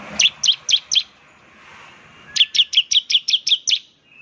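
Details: Bar-winged prinia singing in semi-active style, said to set other prinias calling in rapid 'nembak' bursts: a series of four sharp, high chirps, a short pause, then a faster run of about ten evenly spaced chirps.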